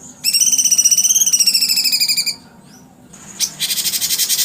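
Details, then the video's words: Cucak cungkok sings a fast, steady trill of pulsed, strongly harmonic notes for about two seconds. After a pause, a harsher, noisier buzzing burst follows. "cucak cungkok suara kuntilanak"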